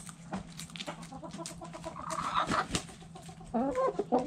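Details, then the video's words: Hens and roosters in a backyard chicken coop, heard as soft scattered clucks and murmurs, then a short run of rising nasal clucking notes near the end, with clatter and a low steady hum behind. "Backyard Chickens Relaxing Video In The Chicken Coop! Sounds Noises Hens Clucking Roosters Crowing!"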